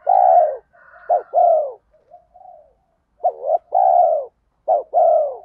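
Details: Spotted dove lure voice in the 'thổ pha thúc' style, urging like a sewing machine to make wild males coo back: loud low coos in repeated groups of a short clipped note and a long mellow falling coo, with a soft quiet coo in between.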